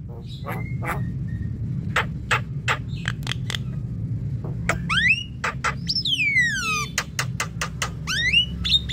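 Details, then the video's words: Javan mynas give sharp clicking notes and harsh chacks, then loud whistles sweeping up and down in quick runs, over a steady low rumble; sound played to provoke young and group-kept Javan mynas into calling. "Pancingan jalak kebo BAHAN dan OMBYOKAN"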